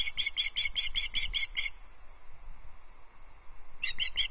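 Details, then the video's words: Female Osprey alarm calling from a perch beside a nest at Loch Arkaig, 5 August 2022, evening, as an intruder osprey flies in the distance; nest cam recording. A rapid series of sharp whistled chirps, a pause, then more chirps. "Intruder Osprey caught on Loch Arkaig Osprey nest cam: Dorcha alarm calls from the perch"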